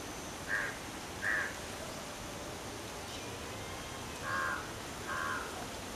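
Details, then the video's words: Jackdaw in a forest giving short, bright calls, two quick notes near the start and another pair about four seconds later, over a steady hiss of background noise. "Crow and Jackdaw crow sound in the forest."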